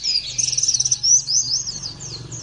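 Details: A brief, breathless run of very high Oriental white-eye notes: a quick stuttering trill, then slurred thin whistles. It comes from a therapy recording to make other birds sing out.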